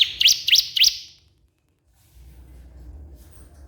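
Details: Crystal prinia calling a rival with three quick high sweeping chirps in under a second, followed by silence and soft background noise.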